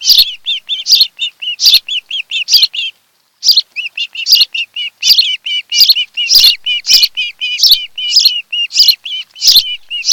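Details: Osprey pair at their nest on Kent Island, Maryland, filmed by a nest camera on a July 2018 afternoon; bright whistled chirps repeated in long rapid runs, with a short pause near the start and sharp broadband ticks mixed in.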